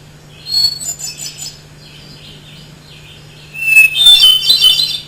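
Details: Two hermit thrush songs, each a pure whistled opening note leading into a quick series of ethereal notes that jump up and down in pitch, with faint soft notes between the songs and a constant low hum.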